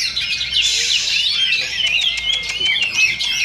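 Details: Continuous, densely layered whistling and twittering from competing Oriental magpie-robins at a Sindanglaut practice singing contest on a Sunday, second session duel. A faint steady tone and low crowd murmur sit beneath.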